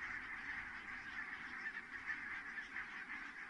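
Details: Big goose flock landing in Kulgur, Estonia, evening of 4 May 2018 at 17:58; constant massed honking from countless birds, with a few slightly louder individual calls rising above the chorus near the middle.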